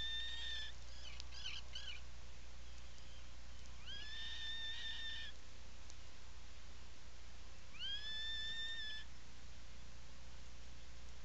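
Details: Atlantic puffin, nesting burrow on Seal Island National Wildlife Refuge in Maine, 17 July 2018, afternoon: three separate rising-then-level whistled calls about four seconds apart, with brief scratchy rustles near the start and a constant low hum.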